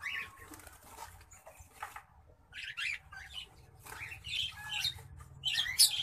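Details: Orange-breasted zebra finch pair, a rare mutation, with soft scattered chirps at first, then a burst of loud nasal buzzy calls crowding the final seconds, with light rustling between them.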